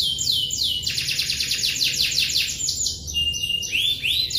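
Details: Domestic canary in full song, a long roll of fast repeated downslurred notes forming dense trills, switching pitch levels mid-phrase and ending with brighter swept syllables; faint low hum underneath.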